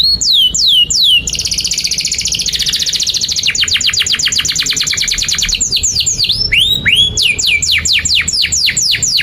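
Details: Canary in long continuous song, a tutor recording for young birds: falling whistles, a dense buzzy trill, a quick rattling run of repeated notes, then a series of looping whistled sweeps.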